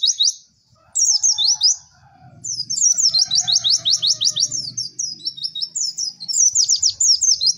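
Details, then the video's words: Fast, high white-eye twittering for songbird training, made of sharp repeated chirps and trills in quick succession, with a faint low humming background beneath the continuous warble. "MASTERAN PLECI TERBARU PALING AMPUH CEK CEK WERR"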